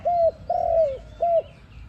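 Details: ARIMIX dove used to lure birds into a trap, giving three smooth coos: a short level one, a longer note that slides down, then a brief arched coo, clear over a soft low background.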